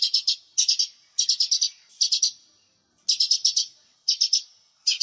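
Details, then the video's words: Energetic lure song of a lesser green leafbird (cucak ijo mini) used as a training recording: clusters of three to five rasping, buzzy notes come in quick succession, each cluster separated by a brief pause. "Cucak Ijo Mini Gacor, Suara Pikat, Masteran"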